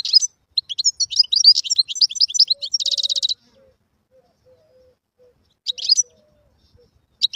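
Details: Wild European goldfinch song, played for tutoring young birds: a fast run of tinkling, twittering high notes ending in a dense buzzy trill, then a quiet pause with faint soft low tones before short twittering bursts resume.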